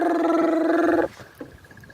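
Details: At sunset, a male crested barbet calls from the top of a fruiting jackalberry tree to impress a female feeding beneath him: a loud, steady, buzzing trill for about a second, then quiet background with a faint short note.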